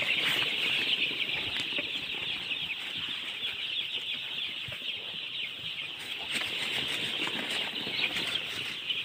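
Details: A crowd of baby chickens giving constant shrill peeps, the overlapping chirps forming an unbroken high chorus with occasional soft scuffles and taps.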